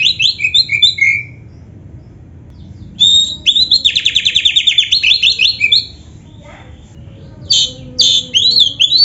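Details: Lively oriental magpie-robin song ('gacor full isian'): a burst of chattering descending notes, a long silent stretch, a dense run of rapid buzzy trills, another pause, and a final outburst of varied notes.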